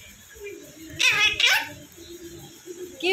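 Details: Indian ringneck parrot in a small room saying a two-part phrase in a shrill, raspy, parrot voice, with a person's quiet speech before it and a rising squeak at the end.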